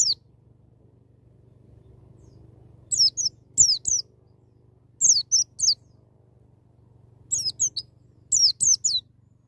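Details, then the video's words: White-eye wild-style song used to encourage a young bird to open its beak: spaced groups of two to three thin, high falling whistles after a quiet opening, over a steady low hum. "BURUNG PLECI NGALAS NEMBAK,MEMICU PLECI BAHAN CEPAT NGALAS BUKA PARUH"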